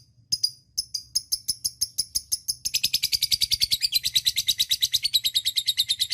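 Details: Lovebird ngekek panjang, a long chatter used to make other lovebirds sing; opens with scattered high chips, then from under three seconds bursts into a rapid, continuous, buzzy chatter.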